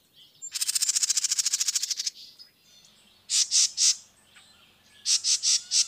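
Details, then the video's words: Song of a dark-eyed junco, used as a master recording for training caged birds: a rapid trill of evenly repeated high pulses lasting about one and a half seconds, then two groups of three or four sharp, bright chips. "masteran suara burung (dark eyed junko)burung luar negri merdu"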